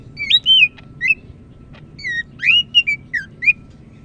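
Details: Medan greater green leafbird from North Sumatra, Indonesia, singing loudly and busily: varied ringing whistles, some sweeping up, others slurring down, mixed with short clicks, in quick irregular phrases, with a faint steady hum beneath.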